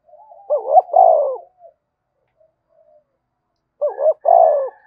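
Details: Spotted dove, a vigorous 'thúc bổi' cooing used to provoke other doves to coo: two loud throaty coo phrases, each a quick double note then a longer sliding coo, separated by about three seconds of silence.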